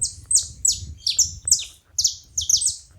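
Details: High, piercing chip notes from saffron finches at a feeding spot, falling in pitch and given in irregular pairs and doublets, with a momentary pause near the two-second mark.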